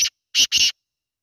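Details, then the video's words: Black francolin giving harsh, rasping notes: a brief clipped burst, then a pause, then two longer scratchy notes in quick succession, with silence after. "Kala teetar awaz | jungali kala teetar ki awaz | black teetar voice"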